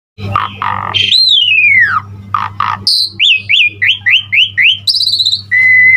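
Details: Asian pied starling (jalak suren) singing a lively full-repertoire gacor song, used to train other starlings: buzzy bursts, a long falling whistle, then a quick run of short rising whistled notes over a steady low hum.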